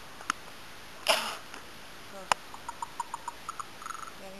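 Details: At Mentryville, California, a large crow overhead gives odd knocking calls. A crisp click and a brief rustle open the clip, followed by evenly spaced hollow knocks and a quick rattling burst, then a low tone.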